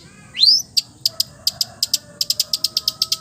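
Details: Cendet, or long-tailed shrike, praised as a melodious mimic of many birds' voices: one sweeping upward whistle, then a steady series of crisp high ticks speeding up toward the end.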